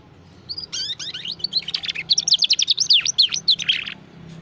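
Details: White loper canary singing a fast, high twittering song of rapid repeated notes, about three or four per second, with quick up-and-down zigzag trills, over a low background hum.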